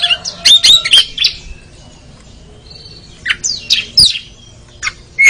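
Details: Kacer (Oriental magpie-robin) in an anti-sluggish therapy recording: opening burst of scratchy whistles, a quiet gap with one faint tone, then scattered harsh chirps and a final bright whistle.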